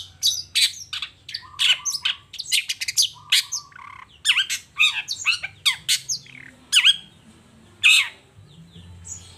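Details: Long-tailed shrike singing energetically in the morning, showing off its repertoire of learned material: a dense run of varied harsh chattering notes, short squeaks and a few sharp whistled upslurs, with steady low hum underneath.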